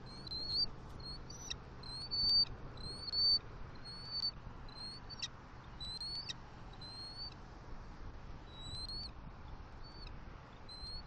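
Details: On a Southwest Florida nest on 28 October 2023, a male bald eagle brings fish gifts to the female. A long run of thin, piping whistles, each rising slightly, comes roughly once a second and softens toward the end.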